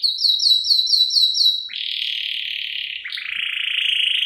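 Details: Canary, a female luring the male, in the 'cengkok isian' style used as a lure and tutor recording: a quick run of curved high notes, then two long, even buzzy rolls at slightly different pitches.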